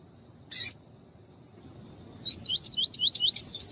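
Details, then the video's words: Tui-tui style song of a double-collared seedeater, with a female calling, used to stimulate birds for song contests: a sharp harsh burst, a quiet gap, then a fast run of six or seven upslurred whistles rising higher at the end. "COLEIRO TUÍ-TUÍ E FÊMEA CHAMANDO ESQUENTAR"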